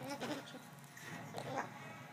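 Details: A pet male umbrella cockatoo, after fighting a shoe on the owner's foot, squawks at the owner: two harsh, raspy, bleat-like calls about a second apart over faint room noise.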